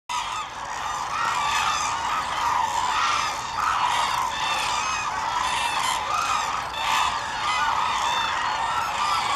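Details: A large flock of Hooded Cranes at Izumi, Kagoshima, Japan, on 7 March 2018 calls all at once: a dense, unbroken chorus of loud bugling honks swelling and fading in waves over a steady background roar.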